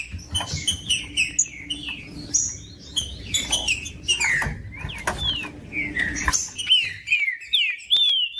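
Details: Green-winged saltator (trinca-ferro) singing, recorded for warming up caged birds kept by breeders for song contests: loud clear whistled notes, many slurring downward, in quick overlapping phrases, with sharp clicks and knocks and some indoor noise.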